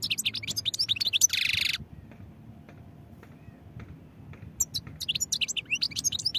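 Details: European goldfinch in quick twittering song with a harsh buzzy note partway through, a pause, then more fast, high chattering phrases over low background noise.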